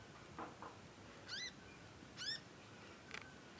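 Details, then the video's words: Young conin learning its song: soft scattered short notes, then two rising harmonic chirps under a second apart, followed by a brief sharp note, all fairly quiet over low background hiss. "ANAKAN CONIN, NYECET PANJANG BELAJAR BUNYI & GACOR"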